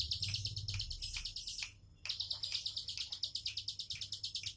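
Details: Bar-winged prinia singing tembakan style in a relaxed manner: quick high chirping phrases, a brief pause, then another long run of sharp repeated notes.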